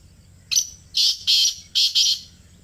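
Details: Close call of a black francolin in Pakistan: a brief clipped note opens, followed by four rasping, harsh bursts in two pairs, steady and loud, with little else audible.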